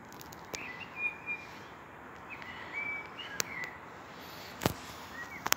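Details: Common blackbird singing at sunset: soft fluted whistled phrases rising and falling, repeated several times over steady background hiss, with a few sharp clicks.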